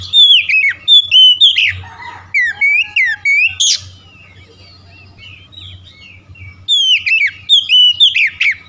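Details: Oriental magpie-robin singing a morning lure song to prompt sluggish birds into song: rapid loud whistled phrases with upslurred and downslurred notes, a long quiet gap with soft distant twitters, then loud whistling returns.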